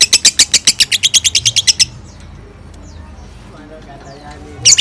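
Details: Pet bird singing ngekek while bathed: a fast burst of about fifteen sharp, high chattering notes for nearly two seconds, then quiet with faint chirps before the chatter resumes at the very end.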